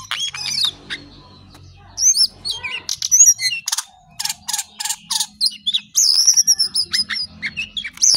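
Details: Brown shortwing singing in spurts: thin whistled slurs, a run of harsh buzzy bursts in the middle, then rising squeaky phrases after brief quiet gaps.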